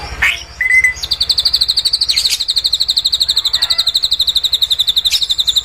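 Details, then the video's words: Drongo song with cililin-style phrases, recorded as a tutor for young cage birds to copy: one short level whistle, then a rapid high buzzy pulsed note repeated about four times per second, with some scattered chips over it. "SRIGUNTING ISIAN CILILIN"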